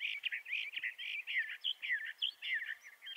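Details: Steady, fast-paced song of Bendire's thrasher: a dense run of slurred, warbled and scratchy notes, some rising and falling, delivered almost without pause.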